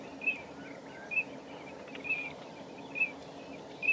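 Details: A common redshank at Nosterfield on 18 March 2018 gives short, high piping notes about once a second, five in all, over a steady hiss with faint softer chirps between.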